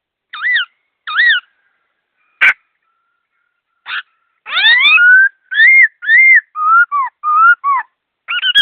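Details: Clear, fast song of a laughingthrush: a pair of arched whistles, a scratchy note, then loud upsweeping and level whistles in a varied sequence of short phrases. All else is quiet.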